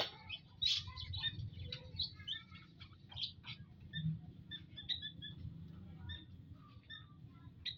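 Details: Munias gathered in an aviary, 19 April 2025, produce dense high chirping at the start that thins into spaced short chirps, with low rumbling noise throughout.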